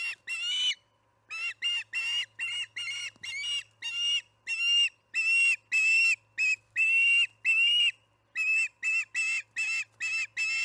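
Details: Osprey at the Charlo nest during evening feeding, July 9, 2019, about 6pm MDT: a loud series of sharp, whistled chirps with strong harmonics, given in rapid bursts of roughly a second with short pauses, steady low hum behind.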